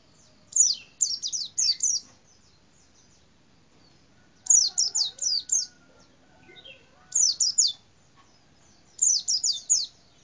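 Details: White-eye in a cassava tree sings short bursts of four or five very high, thin chirps, each burst repeating every two to three seconds against a quiet background.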